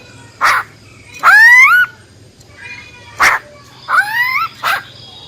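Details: Female silver-eared laughingthrush singing wild-type song to arouse male birds: short harsh bursts alternating with two rising, rich, harmonic whistled phrases.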